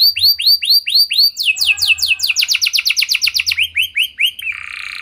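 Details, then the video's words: Canary song used to lure caged canaries into singing; a series of arched whistled notes, then a fast descending trill and a buzzy sustained close. "Pancingan Ampuh Banyak Burung Kenari Cepat Bunyi Gacor Dengan Suara Kenari Gacor Lagu Unik Ini!"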